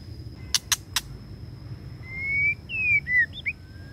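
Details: Male white-rumped shama, a one-year-old decoy bird, singing its long drawn-out song. Three sharp clicks are followed by a rising whistled note, then slurred, warbling whistles. A steady high insect-like whine continues in the background.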